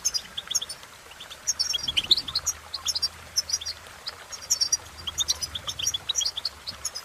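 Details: Goldfinch song with tinkling, twittering phrases and a brief descending sweep, bursts separated by short quiet spells over faint low hum.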